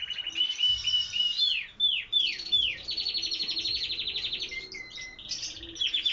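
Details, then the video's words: Canaries singing a varied song: short trills, a series of loud downward-swooping whistles, then a long buzzy rolling phrase and a few steady whistled notes. "Canarios cantando"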